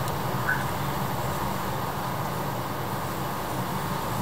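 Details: Steady low vehicle rumble of passing traffic fills the clip, with no animal calls heard.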